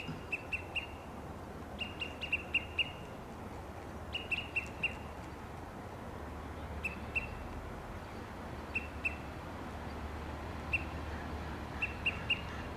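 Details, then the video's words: Olive-sided flycatchers perched on Monterey pines in Del Monte Forest, California, call to each other with sharp, high pip notes in quick bursts of two to four, repeated every second or two over a steady background hiss. "The Sound of Olive-sided flycatcher"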